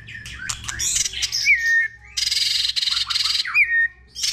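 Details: Many-voiced White-rumped shama song used to rouse other shamas: slurred whistles and a rising-falling whistle, broken by loud, harsh, buzzy rattles that pulse rapidly for about a second.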